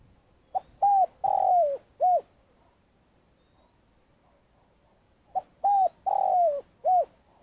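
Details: Decoy spotted dove used for trapping in Vietnam, long calling: two coo phrases about five seconds apart, each a clipped note, level hoot, long falling coo and short final hoot.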